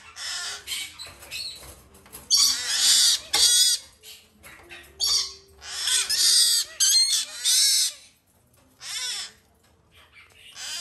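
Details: A captive white-bellied caique (green-thighed) male chick being hand-fed begs with harsh, hissing, raspy bursts, each a second or so long, in quick uneven runs with brief pauses.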